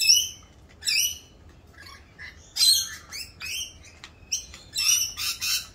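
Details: Mating-season Rainbow lorikeets, louder than usual during a mating dance, giving separate sharp, ringing screeches with a harsh overtone, spaced by short gaps and then bunched into quicker bursts.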